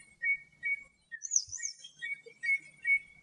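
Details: Common redshank singing in natural habitat in Greece: a clear whistled note repeated about every 0.4 seconds, broken by a brief pause with higher sliding whistles, then the steady repeated notes resume.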